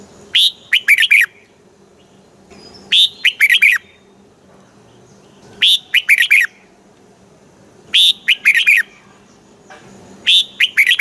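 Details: Red-whiskered bulbul singing a southern master-style song, played to rouse and teach caged bulbuls; five near-identical bright, jumpy phrases of about five warbled notes each, repeated roughly every two and a half seconds.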